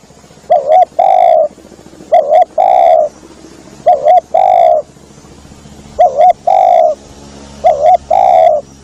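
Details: Spotted dove call used as a lure for doves: paired notes, a quick double-peaked coo followed by a long rolling coo, repeated about every one and a half seconds over a low steady hum and hiss.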